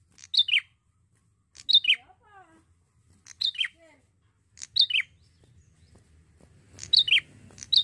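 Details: Bar-winged prinia, a young male singing actively: paired sharp, high descending chirps, each a quick two-note burst, repeated every second or two with silent gaps and faint soft notes between.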